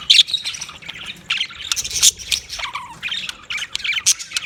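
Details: Budgerigar warbling: a rapid mix of high chirps, clicks and squeaky notes, uneven in rhythm, with a few short lower whistles in the middle.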